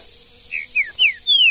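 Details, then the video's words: Green-winged saltator in the woods delivering four clear whistled notes in quick succession, each sliding downward, the last longest and loudest. "MUITA FIBRA trinca ferro no mato"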